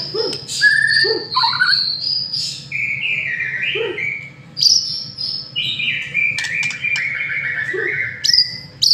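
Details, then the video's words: White-rumped shama masteran song played as a lure to make a bird sing energetically: varied rich whistled phrases, high then descending and wavering, interspersed with short low notes and sharp clicks. "Murai Batu Masteran sekali Pancing Langsung GACOR"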